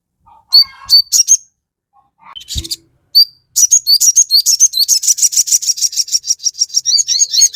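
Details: Crested jay song meant to stir other birds into replying. After scattered squeaks and a single low click, a long rapid chatter of high, sharp notes runs steadily to the end.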